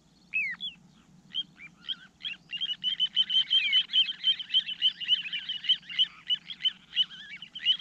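Little ringed plover giving rapid, repeated high whistled calls, about three per second, with rolling trilled notes; a low hum runs underneath.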